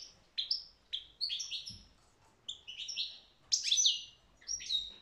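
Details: Liquid, high-pitched twitter of a European goldfinch, with repeated chirps and sliding notes run together in lively phrases, with a soft low thump near the middle.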